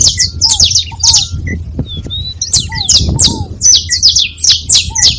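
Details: A group of saffron finches chattering, bursts of high, scratchy downslurred chirps with brief pauses, plus lower curved whistles and soft rumbling in the background.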